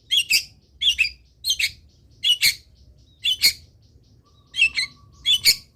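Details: Long-tailed shrike singing, played to train other birds: repeated harsh double notes, spaced under a second apart, with a faint steady tone in the background.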